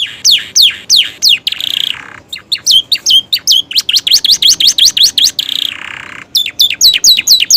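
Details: Caged canary of the Romeo type singing with imitated phrases of prinia and ciblek; loud, varied song of rapid descending whistled sweeps, sharp repeated chips and brief pauses, quick trills returning near the end.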